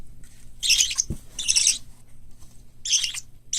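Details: Indoor parakeet chicks, white lovebird, cockatiel and budgerigar, raised for hand-taming. Scratchy, hissing rasps sound in three spaced bursts, with a single low knock early on.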